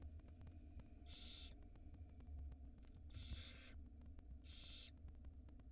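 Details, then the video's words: Begging barn owl nestlings at feeding time, nest camera in Israel, spring 2022: three broad, breathy hissing screeches, each about half a second long and roughly 1.5 seconds apart, over a low steady hum. "Barn Owl Feeding Time For the Tiny Nestlings"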